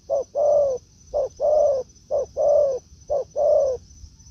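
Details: Spotted dove meeting a decoy in woodland. Four loud coo pairs, each a short pip and then a smooth, slightly falling longer note, come at an even pace of about one per second.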